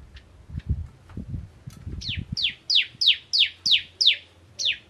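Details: Bar-winged prinia, locally ciblek, a crystal form, singing in the 'nembak ngentrok' style: after some low knocks and thumps, a fast run of sharp high downslurred notes, about three per second.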